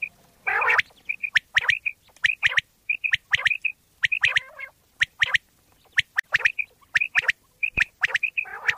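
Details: Pakistani common quail calling, a sound offered for quail hunting: rapid clipped whistle pairs at one high pitch recur throughout, overlapped by rough squawking bursts and crisp snapping clicks.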